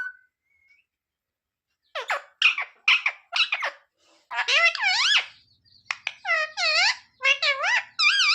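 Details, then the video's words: Parrot kept as a pet, talking and asking for roti: after a quiet start come sharp clipped syllables, then longer warbling harmonic phrases with dipping and rising pitch, spoken in quick succession. "Parrot talking mummy mithu ko roti do"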